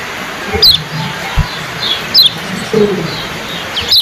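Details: Competition yellow-bellied prinia (kecial kuning) giving its fast 'ciak' chirp: sharp, high, steeply falling notes repeated three times over four seconds, with low murmuring and background noise from a crowded event.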